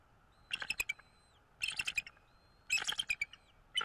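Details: Bald eagle at its nest in North East Florida, filmed by a nest camera on 13 February 2022 around 08:08; three quick bursts of high, chittering, squeaky notes, each about half a second long, separated by short pauses, with faint whistles behind.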